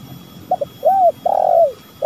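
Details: Spotted dove giving a lure-style call: twin short notes, an arched low coo, a long burry croon easing downward, and the start of the next coo at the end.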